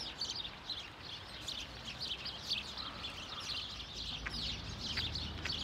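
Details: Numerous house sparrows calling in Hedbergska park, Sundsvall, late November 2023: dense, irregular chirping, roughly two notes a second standing out from the busy overlapping chatter of the group.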